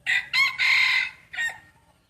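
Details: Close, loud crow from a breeding rooster in a crowing contest, broken into short bursts: two quick opening notes, a longer held middle note, and a final separate clipped note, with near silence around them.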